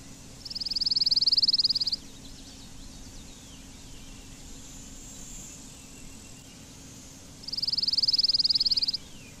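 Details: Blue-winged warbler giving two long, dry, insect-like buzzes, each lasting about a second and a half, high-pitched and even, separated by roughly six seconds of quiet with faint background hiss.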